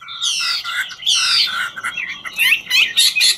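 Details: Chinese hwamei, a 'ngũ trường' singer dancing while it sings; harsher, buzzy chattering notes and rough squawky phrases over faint background hiss, less whistled than its usual flowing song.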